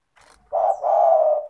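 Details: Spotted dove, vigorous caller used as a lure for lazy doves: a single low, smooth coo phrase, a brief note running into a longer sustained coo, preceded by a soft rustle.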